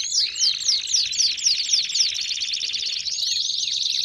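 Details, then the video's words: Belgian canary song opening with a string of quick downward-slurred whistles about four per second, then a steady rolling trill with rising sweeps. "CANÁRIOS DO REINO CANTANDO!!! BELGIAN CANARY SINGING!!!"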